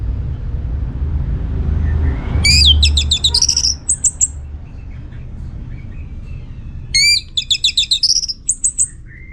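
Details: Orange-headed thrush from Singaraja, Bali, singing in full voice as a lure for other birds: two quick phrases of bright, rapidly repeated whistled notes rising to a high trill, separated by a quieter pause, with low rumble beneath.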